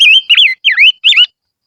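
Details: Silver-eared mesia giving a lure song: four loud whistled phrases, each a wavering, slurred note dipping and rising, separated by short gaps, then silence.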